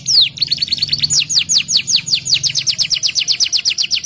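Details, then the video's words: Canary in lively rolling song: a quick run of sharp, high downward-sweeping notes repeated about two to three times a second. A steady low hum runs underneath. "KENARI GACOR NGEROL NEMBAK | CANARY SINGING"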